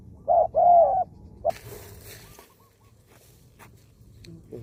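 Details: Spotted dove kept as a decoy bird, recorded outdoors in Thailand: two deep hollow coos open the clip, then a short coo and faint rustling and background noise.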